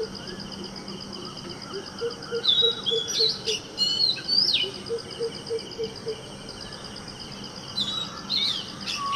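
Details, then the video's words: Male Oriental magpie robin singing, his song including mimicry of a predatory shikra and a neighbouring common tailorbird. Bright, varied whistled phrases mixed with sharp clicks, and a soft low note repeated in short series in the background. "let's listen to the song of magpie robin."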